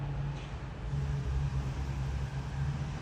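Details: Steady low rumble of road traffic and outdoor background noise, with no distinct call standing out.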